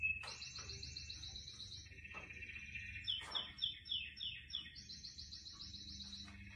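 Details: Canary song heard among indoor plants: a rapid high trill, a lower rolling trill, then a run of bright descending slurred notes at roughly three per second, ending with the high trill again.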